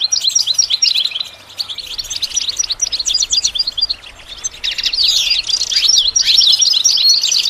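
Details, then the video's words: Goldfinch song for song-training beginners: long, dense twittering of tinkling high notes and rattled trills that swells louder in the second half. "The basics of training the goldfinch to sing"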